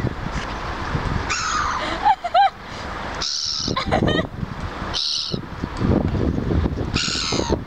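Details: Grumpy seagull at Cleethorpes front chasing and attacking other gulls; a few short nasal yelps with descending harmonics come in a tight cluster midway, with people speaking and clattering noise around.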